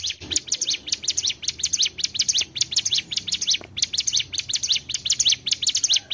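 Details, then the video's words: Lure recording of mountain tailorbird song used for bird trapping: continuous high, thin chirps with up-and-down sweeps, tightly packed and energetic, briefly broken by small clicks. "Pancingan Ciblek Gunung/Cigun || Suara Asli Trible Cigun Gacor"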